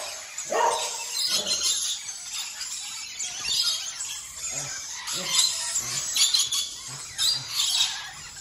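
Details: Rainbow lorikeet (Trichoglossus moluccanus) gives harsh, grating screeches in bursts about every second over steady hissy background chatter; one brief human exclamation.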